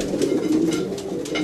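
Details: Racing pigeons in their loft in Wejherowo, Poland, just back from a 570 km race on 10 June 2012: low, throaty, rolling cooing as a male courts a female.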